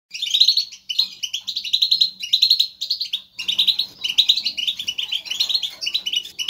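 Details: Group of European goldfinches in lively motivational chatter, used to stimulate caged goldfinches to sing: dense bursts of bright, tinkling, twittering notes, each burst lasting about a second, separated by brief pauses, with faint low hum beneath.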